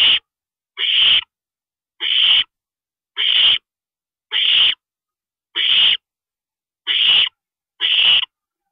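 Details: Owl at a nest during a parent's stopover at 2:40 AM on April 22, 2012: harsh, hissing screeches of about half a second, repeated regularly roughly once a second.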